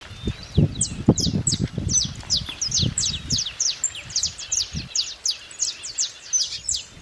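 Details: Saffron finch giving a rapid run of high, sharp, downslurred chirps, several notes a second, overlapping as if more than one bird, over low thumping and rustling noise.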